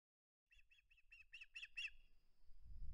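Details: Osprey at its nest on 21 August 2020, refusing to give up its flounder: a series of about seven short, high, sharp chirping notes, spaced evenly and growing louder, then a thin steady tone with low rumbling noise.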